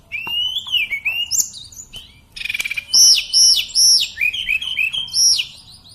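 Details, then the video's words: Singing Sunda robin, called tledekan or sulingan gunung: ringing whistled phrases, then a loud series of high arched notes repeated about twice a second, followed by lower rolling whistles. "Tledekan/ burung sulingan Gunung"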